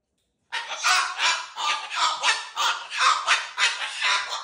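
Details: Excited cockatoo screeching continuously for four seconds, a rough, raspy call rising and falling in about ten loud pulses without a break.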